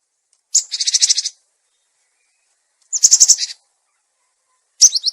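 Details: Cinereous tit, lure recording also used to train caged birds that have stopped singing: three harsh, buzzy, high chattering bursts, the first about a second long, with silent gaps between them.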